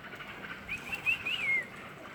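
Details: Sooty-headed bulbul chick being fed by its parent: a short run of clear whistled notes, rising then sliding down in a smooth slur, over a soft background hiss.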